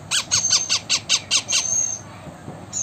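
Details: Indian ringneck parakeet, blue form, kept as a talking pet: seven rapid harsh squawks at about five per second, followed by a thin sustained high whistle and brief quiet.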